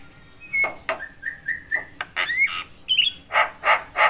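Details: Javan myna calling, said to rouse other mynas; scattered short whistles and clicks, then a run of harsh buzzy notes repeated about three times a second.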